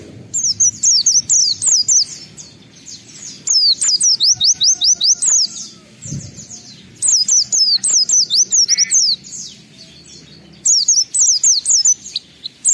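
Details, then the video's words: Vigorous oriental white-eye song used to lure other white-eyes into singing: repeated flurries of piercing, high, downward-sweeping notes, roughly two per second, broken by short gaps. "Pleci Gacor MUNTAHKAN Isian Memancing Semua Pleci Ikut Gacor"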